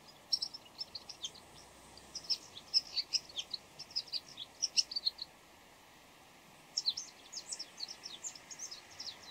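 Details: Bull-headed shrike calling before dawn in many different voices: two bursts of rapid, high, thin chirps and squeaky notes, varied in pitch, separated by a short pause, over faint steady background hiss.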